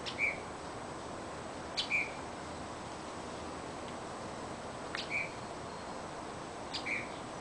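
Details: Bird singing at 3 a.m. outside a window: four short, sharp, mid-high chirps, each preceded by a faint click, spaced about one and a half to two seconds apart over a steady background hiss.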